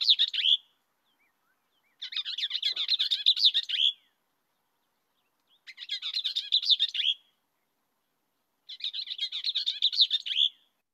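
Bell's Vireo sings rapid, scratchy, jumbled phrases about one and a half seconds long, repeated every three seconds or so, high-pitched and chattering.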